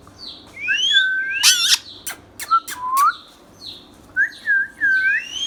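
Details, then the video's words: A caged pet ringneck parrot whistles. Sliding, rising and falling whistled notes come in short bursts, broken by a few sharp harsh squawks, and end with a string of quick upward whistles. "Ringneck Parrot natural sounds"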